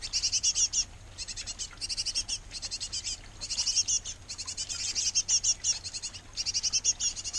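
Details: Busy nest box of a great tit pair feeding nestlings: loud, rapid high chirping in back-to-back bursts, with a low steady hum underneath.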